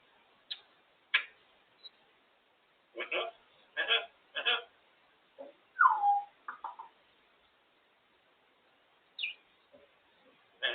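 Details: Female African grey parrot sitting in her cage indoors, talking: short speech-like syllables in bursts, a gliding whistled note dropping in pitch near the middle, and sharp chirps, with quiet pauses between.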